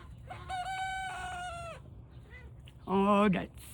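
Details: Around 5 a.m., a young Turken rooster just learning to crow gives one thin, squeaky crow, held level for over a second and trailing off. A loud human shriek or laugh follows.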